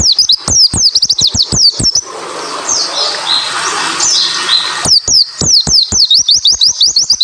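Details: Japanese white-eye song for provoking other white-eyes to sing: dense bursts of piercing descending notes and clicks at the start and end, separated by a few seconds of hiss and faint notes.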